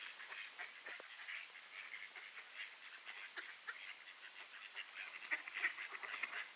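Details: Greeting ducks at a doorway in Sainte-Adèle, Quebec, on a clear, mild 16 September 2024 near noon; a busy run of short quacks grows louder and denser toward the end, with hiss beneath.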